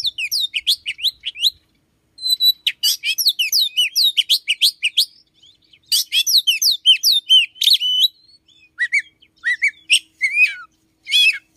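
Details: Oriental magpie-robin singing in the morning, a caged bird whose repertoire includes mimicry of a red-headed sunbird-like songbird: rapid varied phrases of sharp chirps, slurred whistles and buzzy notes in bursts separated by short pauses.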